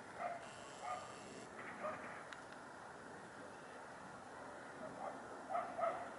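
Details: Hooded crow giving harsh, throaty caws, a pair near the start, one in the middle and a quick cluster at the end, over constant low rushing noise.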